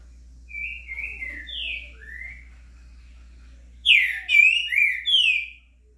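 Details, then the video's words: Green-winged saltator singing, recorded in the morning on 26 September: a soft run of clear, slurred whistles, then a louder, rich phrase of rising and falling whistles over a low electrical hum. "trinca-ferro cantando estourado"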